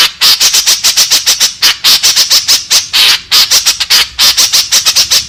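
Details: Harsh, rasping notes from a white-breasted woodswallow, a lure recording meant to attract companions. The notes run unbroken and fast, roughly seven per second, for over five seconds.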